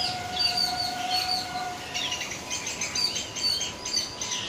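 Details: Yellow-billed babbler (Demalichcha) recorded in Sri Lanka giving bursts of sharp, high, squeaky chatter in quick succession, with a steady background hum and a brief level whine early on.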